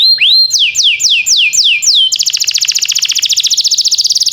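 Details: Timbrado canary training song: one rising whistle, several swift downslurred notes, then a long, rapid, bell-like trill repeated many times per second.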